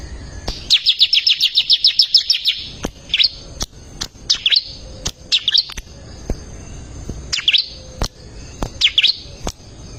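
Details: Bar-winged prinia tutor song for caged birds: one long, rapid trill of high chips, then short separated bursts of twittering notes every second or so, with sharp ticking clicks throughout.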